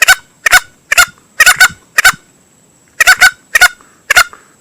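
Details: Green junglefowl male lure sound used by hunters: hoarse, honk-like notes repeated quickly, with a gap of almost a second before the series resumes.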